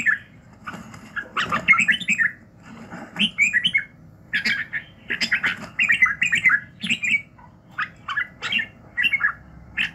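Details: Morning song of a red-whiskered bulbul for voice training, with clustered bubbling, whistled phrases in three or four bursts separated by short quiet gaps.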